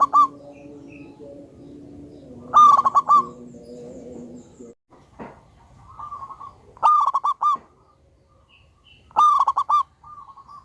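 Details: A very vocal local zebra dove with a loud voice sings four bursts of rapid, pulsed, ringing coos. A low steady hum sounds early on, and a soft dove coos between phrases. There is a brief click midway.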